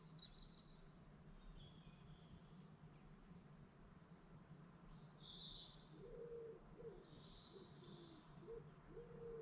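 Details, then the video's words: Dawn chorus of birds beside a lake in the Lake District National Park: soft low cooing phrases repeat through the second half, while thin high whistles and brief chirps come and go above a steady low hum. "morning chorus bird sound at dawn"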